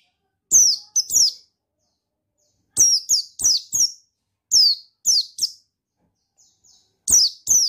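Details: Provoking song of a male buxtoni white-eye, played to make lazy white-eyes sing; bright, high-pitched downslurred chirps in quick pairs and triplets with short pauses between groups.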